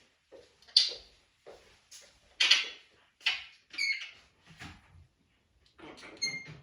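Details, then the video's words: Pet African grey parrot indoors making chatter and squeaky noises: short scratchy, broadband squawks at irregular intervals, some with thin whistled overtones, in a small quiet room. "Having a parrot: chatter and squeaky noises"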